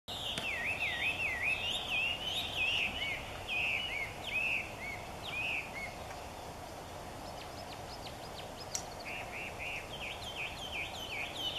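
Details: Chinese Hwamei singing loudly in the morning near Niiharu Citizens' Forest, Japan: rich whistled phrases of looping, up-and-down slurs, a fast run of varied notes, a pause, then a new series of repeated wavering whistles; steady background hum.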